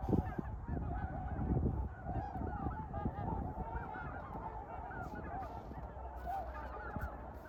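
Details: Trumpeter swans in winter give a chorus of deep, horn-like honks, overlapping and irregular at about forty a minute, over a steady low rumble of wind.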